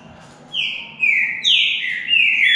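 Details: Green-winged saltator in a singing contest between two birds: loud whistled phrases of slurred, descending notes, some with sharp upward starts, delivered in quick succession against faint background hiss.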